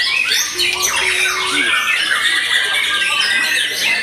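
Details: Loud, crowded song of a white-rumped shama after moult: harsh, squawky and buzzy phrases mixed with fast high whistles, one low flat whistle near the start, no pauses.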